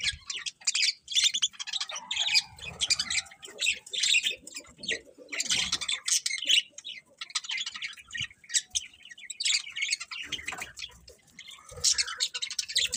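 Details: A long stretch of morning bird chirping, continuous high twittering and tweets from several birds, with occasional lower mid-pitched calls and faint background knocks.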